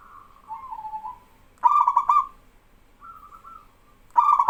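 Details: Singing male zebra dove of a local strain with other doves joining in: soft warbling coos followed by loud, rapidly rolling coo phrases that repeat twice.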